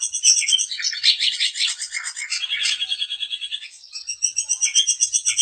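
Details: Daput long-tailed shrike singing to stir other shrikes into song: rapid repeated ticking notes, about four per second, woven with buzzy chatter and thin high whistles.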